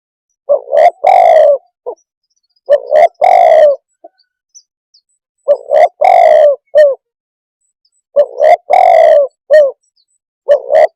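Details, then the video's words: Spotted dove repeating its three-part phrase about four times over eleven seconds. Each phrase runs a doubled coo, a long falling croo, then a short coo, in a quiet setting. "suab nquab quaj zoo tiếng chim cu đất"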